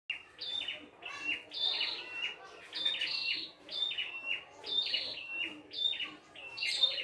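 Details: Wild red-headed prinia singing in its natural habitat, a lively full song: bright whistled phrases with buzzy upslurred notes, repeated in bursts about every second, steady and clear.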